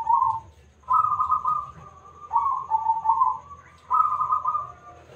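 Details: A local zebra dove, singing keenly with a big voice, is used as a lure for other birds. It gives four mellow cooing phrases, each a rolling, slightly quavering burst, with short pauses between.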